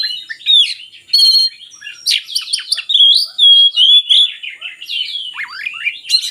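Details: Oriental magpie-robin singing to prompt lazy birds to sing: a fast trill, then loud clear whistles, scratchy notes and a long pure whistle, ending with a downward-sweeping slur, all high and varied.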